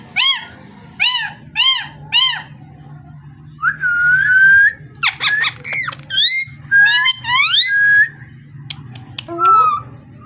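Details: Four evenly spaced arched calls open the sequence, then long wavering whistles, harsh chatter and quick rising whistled phrases from a parrot, with a steady low hum behind.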